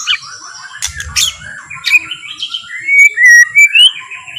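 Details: White-rumped shama singing slow, relaxed song meant to provoke other shamas into singing; varied clear whistled phrases with short squawky notes, bright rising and falling whistles toward the end, low rumbling background noise early on.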